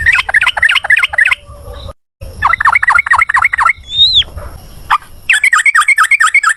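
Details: Ropel ngalas style singing of a yellow-vented bulbul, played as a prompt for other birds to answer: quick runs of sharp slurred chips, a single high rising whistle midway, then a final rapid rattling series.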